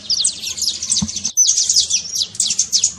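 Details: Saffron finch trincado, a trill used to fire up a quiet bird: rapid, buzzy stream of high slurred notes, cut by a brief pause midway, then resuming just as fast.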